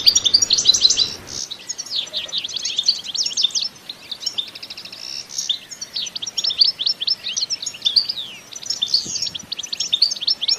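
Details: European goldfinch in spirited batbata song, free of sound effects: an opening second of loud twittering over rumbling noise, then steady rapid chirps, sweeping whistled notes and short trills continuing throughout.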